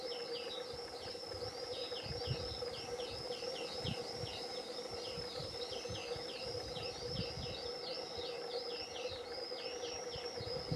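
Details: Juvenile European greenfinches in a garden, fed by the male, the first young of 2021; continuous fast, wavering high-pitched begging calls running through the whole recording over a steady low hum and soft rumbling noise.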